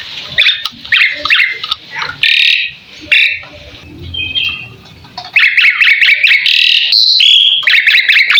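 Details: Asian pied starling in a full tutor recording that prompts other birds to answer: scratchy chattering gives way to a fast series of repeated sharp, rising notes and a loud whistle.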